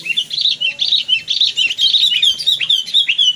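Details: Tame sooty-headed bulbul raised from a chick, singing a continuous run of bright, bubbling whistled notes that rise and fall quickly, about two per second, with a faint low hum behind.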